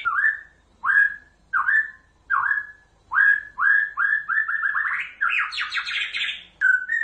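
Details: Vigorous white-rumped shama song used as a lure for other shamas to reply: clear upslurred whistles repeated about every 0.75 seconds, then quickening into a fast rising rattle of notes and a final whistle.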